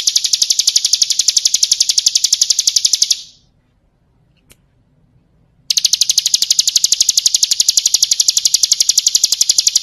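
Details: Training song of the ciblek kristal, a bar-winged prinia: a shrill, rapid ticking trill for three seconds, a silent pause with one faint click, then the same fast, even trill resumes.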